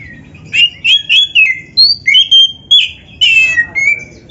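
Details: Kacer, the Oriental magpie-robin, singing a 'gacor' master song full of 'isian' phrases for training other birds: crisp whistled notes jumping between pitches, delivered in quick separated bursts with sharp upward and downward flicks.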